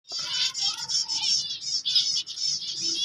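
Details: Finch chicks, white, calling: dense, continuous high buzzy chattering with rapid warbling notes, several overlapping voices, steady and loud throughout.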